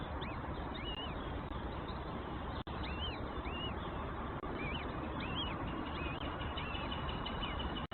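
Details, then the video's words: Nestlings in their nest being fed by the mother bird; a string of short arched chirps, many overlapping and repeated several times a second, over a steady low rumble of background noise. "the mother birds feeding her babies in their nest"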